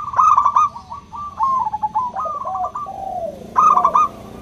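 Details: Local zebra dove with a loud, crystal-toned voice, calling to prompt silent doves to sing: rapid purring trilled phrases, a lower sliding coo near the end, then another brief bright trill.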